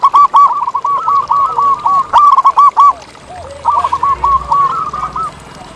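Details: Wild zebra dove in nature giving rapid staccato cooing phrases: strings of short, arched, bubbling notes. There is a pause midway, then another fast run. A second, lower dove answers faintly beneath.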